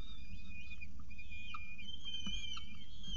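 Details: Morning nest scene at CSU Orange, October 2018: a peregrine falcon with pigeon prey utters level whistled whines with small dips and brief squeaks, plus a faint tap, over low hum.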